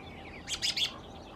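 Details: Male American robin in California, part of a group of about a dozen with similar groups nearby, giving a brief cluster of three sharp, high, squeaky notes in quick succession over faint background chatter.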